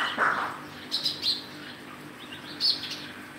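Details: Sparrow calling: a few short, bright chirps in quick bursts over a faint steady hum, with a louder lower note at the start.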